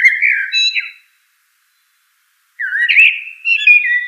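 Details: A common blackbird gives two separate mellow whistled phrases with a pause between. The second is longer, swooping up from a low note into a wavering, flute-like warble.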